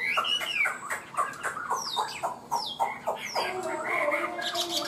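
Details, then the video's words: Captive Chinese hwamei known for high-pitched song; choppy run of short notes, then clear downslurred whistles and a warbled ending. "Chim họa mi hót cao cầu, ra mỏ nhanh ổn định"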